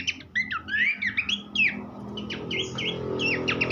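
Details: Horsfield's babbler, a luxurious tutor vocal for songbird training: swooping whistled notes and quick chirps over steady low background hum and rumble, phrases tumbling in fast succession.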